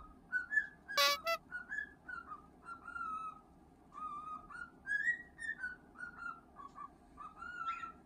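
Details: Male cockatiel kept indoors, singing while being scratched: soft, varied whistled notes rising and dipping in a meandering phrase, one sharp clattering noise early on, steady background hum throughout.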